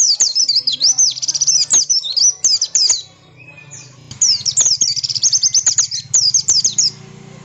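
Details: Oriental white-eye in insistent song, used as a lure for other white-eyes to reply: two long runs of rapid, high, piercing twitters split by a short quiet gap, a low hum underneath.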